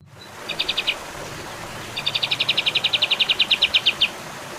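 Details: Olive-winged bulbul: two bursts of rapid, evenly spaced high chips. The first burst is short, the second a longer rattling series of about twenty notes, over a steady background hiss.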